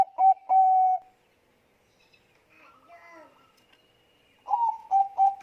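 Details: Bangkok-type zebra dove lure song: two bursts of mellow coos, a short note then a longer held one, followed by a quiet stretch with faint chatter before a fresh series of clipped, repeated coos.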